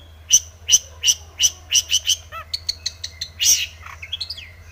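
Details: Long-tailed shrike in breeding condition, singing a mimicry-filled lure song: a series of loud bright chirps, a brief falling warble, quick high ticking notes, then a harsh burst and thin rising whistles.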